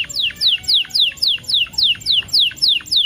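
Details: Canary lure song with ten-second pauses meant to make canaries sing: a steady series of clear, downward-sweeping whistled notes repeated about three times a second, loud and evenly spaced.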